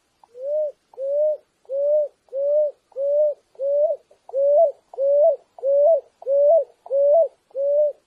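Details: Picui ground dove song, a clean recording without added effects: twelve low, even, upslurred coos, each about half a second long, steadily repeated about every two-thirds of a second against silence.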